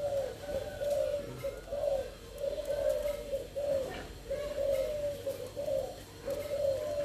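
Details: Captive Thai strain spotted doves, large and handsome birds kept by a breeder for sale: soft low hollow coos repeated in a steady phrase roughly every second, with faint rustling and background murmur.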